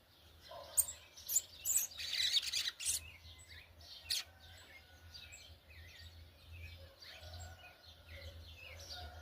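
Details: Yellow-bellied Seedeater, brown plumage, warbling in churrio style: rapid high chirps and rasping bursts early on, then softer, quicker twittering, with a faint low hum throughout.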